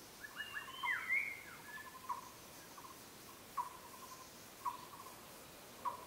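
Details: White-rumped shama: a brief burst of varied whistled notes, then short clipped notes repeated about once a second, softly against a quiet background.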